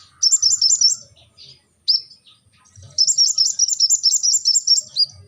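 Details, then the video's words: High, rapid twittering from a brown-throated sunbird, delivered in two energetic bursts with a few lone squeaky notes in the gap between them. "kolibri ninja gacor"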